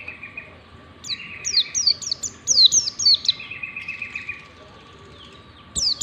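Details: Warbling white-eye song used as a lure to teach white-eyes to sing: bursts of high, steeply falling whistled notes in rapid series, then a softer twittering phrase, with a steady faint tone underneath.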